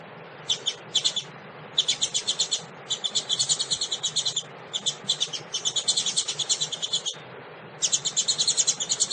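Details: Female double-collared seedeater calling to stimulate males, giving long, nearly continuous bursts of rapid, high, buzzy chattering notes in several runs separated by brief pauses. Soft low hum behind.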